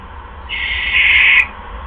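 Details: Owl calling at night, one hoarse, hissing screech lasting about a second, with steady low background hum.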